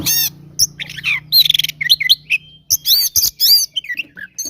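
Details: Oriental magpie-robin giving its 'gacor tarung konslet' fighting song to provoke rivals; loud, busy phrases of high chirps, a rattling trill, scratchy notes and clear slurred whistles, with brief gaps between bursts.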